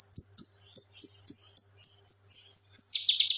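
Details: Male leafbird song used to tutor other birds: a steady very high thin whistle pulsing about four times a second with faint low ticks, breaking into a buzzy rattle at the end.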